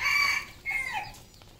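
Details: Red junglefowl crowing on a Cambodian farm: a short, strong nasal burst, a brief break, then a second phrase that slides downward and trails off. The whole fragment lasts under two seconds.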